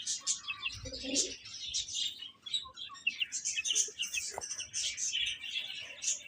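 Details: Baby chickens eating and playing: a dense chorus of many chicks giving high, thin, overlapping peeps and tweets, continuous throughout, with one brief lower chirp near the second mark.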